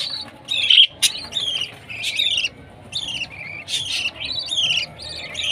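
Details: Baby budgie at food time giving short, high, scratchy chirps in clusters about every half second to second, with brief gaps between bursts and one sharp click.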